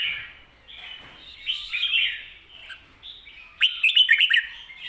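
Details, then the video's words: Red-whiskered bulbul giving the doubled 'ko-ta-ra' song, meant for training caged birds. Soft fluty warbles build into a louder rolling phrase, and a closing series of sharp, rapidly repeated notes follows a short lull. "โค-ตะ-ระ เบิ้ล เบิ้ลจริงเบิ้ลชัด(ไว้สอนนก)"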